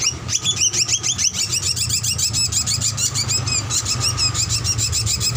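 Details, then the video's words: Young drongo on a training master recording to make birds sing: very rapid, steady stream of high squeaky chirps, about three per second, over a low mechanical hum. "Masteran Paud Srigunting Ampuh Buat Pancingan Dan Dijamin Cepat Bunyi"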